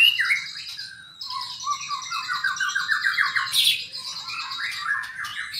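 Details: White-rumped shama song from albino and blorok mutation birds: a dense stream of quick downslurred notes rattling in runs, layered with high sustained whistles and a sharp burst of noisy squawks near the middle.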